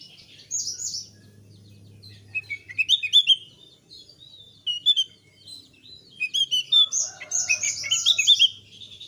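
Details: A thick-billed white-eye sings loud, continuous quick high chattering phrases of bright twittering notes in bursts, with short pauses between and a faint low hum underneath; used as a lure to get young white-eyes singing.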